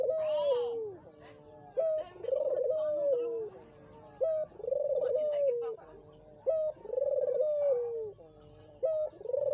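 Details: Dove repeating its cooing phrase about every two seconds, meant to prompt a quiet dove to call: a short flat note followed by a wavering rolled coo that slowly falls, again and again.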